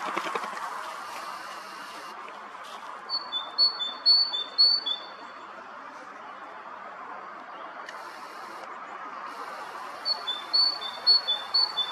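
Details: A tit singing on a branch in forest in Zarechny on 12 April 2021 gives two bursts of high, ringing two-note phrases, each repeated four or five times in quick succession, over a steady rushing background hiss.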